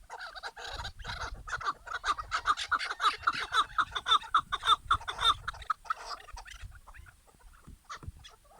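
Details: Chukar partridge giving hurried, repeated clucking chuk notes that build into a dense rhythmic burst midway and then trail off into scattered notes, over a low rumbling background.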